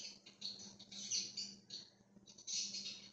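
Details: Chatter from a free-roaming budgerigar flock on 13 October 2024: continuous high twittering and raspy warbles in pulsing waves, pausing briefly near the second mark, over a low steady hum.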